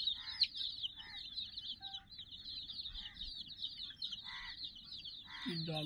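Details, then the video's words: A flock of around sixty chicken chicks plays with a puppy teddy toy, filling the air with a constant high-pitched cheeping chorus while a man speaks in short phrases and a brief low hum appears near the end. "silly chicks chirping"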